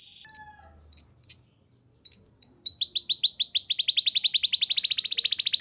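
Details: Canary song used to make other canaries respond and sing: a short series of spaced high whistles, a pause, then an accelerating long trill of rapid sharp notes.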